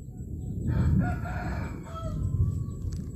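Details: Rooster crowing in the morning: a drawn-out, hoarse crow partly buried under heavy low rumbling background noise, with a fainter second phrase near the end.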